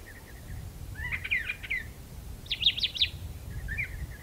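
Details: Song of a brown thrasher perched in a magnolia: faint chips lead into a rapid buzzy phrase, repeated soon after as a louder doubled trill, then trailing soft chirps.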